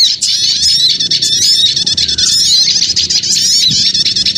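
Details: Dense, blurred chorus of small birds for luring, continuous shrill twittering and squeaky notes with no clear pauses, many voices overlapping.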